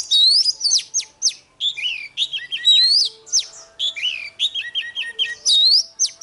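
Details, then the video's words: Morning fighting song of a caged oriental magpie-robin: loud, clear whistled phrases with rising and falling sweeps, repeated in short lively bursts separated by brief pauses. "Chòe than hót đấu//Kích chòe hót sáng"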